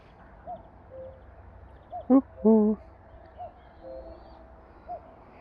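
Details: Distant male common cuckoo, recently arrived back from migration, calls on an early-summer evening at a lake: a soft two-note cu-ckoo, high then lower, repeated a few times, with a man talking nearby.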